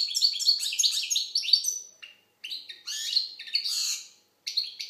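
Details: Algerian European goldfinch singing: fast liquid twittering phrases of bright, tinkling notes with buzzy trills, broken by short pauses near two and four seconds; no other sounds.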